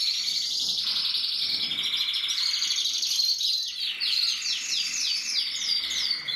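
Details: A Gloster canary sings steady rapid trills, then shifts into a series of quick repeated downward-slurred notes, all high and continuous.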